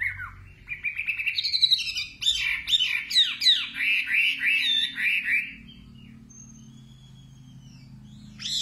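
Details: Nightingale song opening with rising whistles, then a burst of sharp, sweeping notes in quick succession, followed by near silence and a thin high whistle before a final note.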